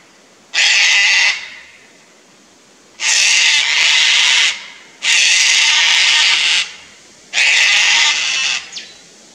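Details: Four well-spaced, raucous screeches, about two seconds apart with quiet between, from a Sulphur-crested Cockatoo pair angered by a Lace Monitor in a tree near their nest, Fraser Coast, Queensland, Australia.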